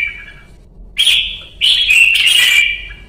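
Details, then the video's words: A red-whiskered bulbul (Pycnonotus jocosus) in song training sings loud, bright warbled phrases in two quick bursts after a soft opening note, with nothing else heard. "CHÀO MÀO | Luyện ché Pycnonotus Jocosus Red-Whiskered Bulbul"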